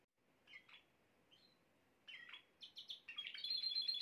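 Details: Male canary song meant to prompt a female canary into the mating posture; scattered high chirps give way to quickening twittering phrases and end in a sustained, ringing trill.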